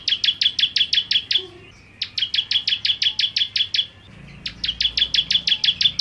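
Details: Bar-winged prinia (ciblek kristal) delivering 'nembak' song: three bursts of rapid, sharp, high-pitched repeated notes, each about two seconds long, with roughly one-second pauses between.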